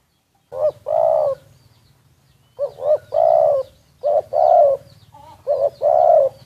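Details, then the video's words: Decoy spotted dove, secretly recorded, giving a quick series of soft, hollow two-part coos, a brief lead note then a fuller drawn-out coo, over a steady low hum. "แอบอัดเสียงนกเขาใหญ่ นกต่อ"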